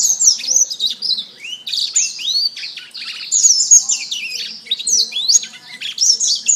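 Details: Masteran canary singing a steady, rich medley of high warbled notes, upward and downward whistled slurs and fast chattering trills that runs almost continuously.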